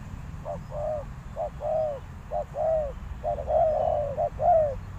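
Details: Decoy spotted dove calls to attract wild doves: soft, rounded two-part coos repeated steadily, the later phrases slightly fuller and overlapping, over quiet background hiss.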